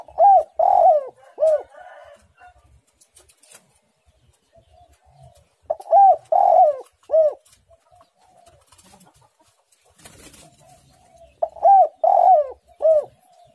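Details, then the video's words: Spotted dove in active song with a tight, pressing delivery: the same mellow phrase of four arched coos, one notably longer, comes three times at steady gaps of about five to six seconds, with quiet soft clicks between. "tekukur super gacor suara menekan rapat"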